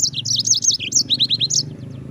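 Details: Mozambik, or yellow-fronted canary, tutor song for training other birds: a continuous quick string of high, warbled chirps with several upward-curving notes.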